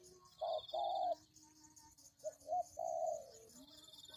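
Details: Short passage of spotted dove cooing from a lure recording. Two coos, a short and a long one, come first, then after a pause two quick notes and a drawn-out falling coo. A high hum continues.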